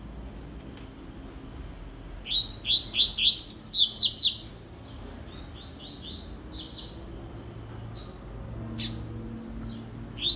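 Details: Rusty-collared seedeater repeating its song: a high falling whistle, then a quick train of sharp slurred notes, a second lower run, and isolated high chips, with a faint hum underneath.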